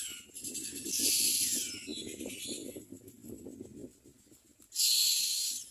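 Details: Hungry Common Mynas (Acridotheres tristis) at a nest, begging for food: two harsh, hissing bursts, each about half a second to a second long, over a low, steady background murmur.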